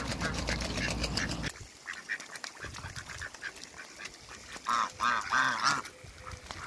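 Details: A pair of mallard ducks meeting at a waterbird farm: a loud noisy rumble at first, then a short series of nasal, harmonic quacks later on over a background hiss.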